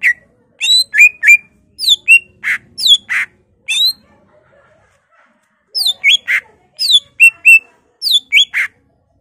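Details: Greater green leafbird in energetic full song laced with mimicked phrases of magpie-robin, laughingthrush, cililin, white-eye and canary: bursts of sharp whistled and buzzy notes, some sliding down, in two busy runs split by a short pause.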